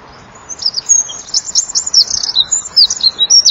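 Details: Eurasian wren at evening dusk on 23 January 2014, 17:33, singing loudly while fluttering its wings, a very high, rapid run of trills and sharp twittering notes tumbling almost without pause; a second wren perched nearby briefly.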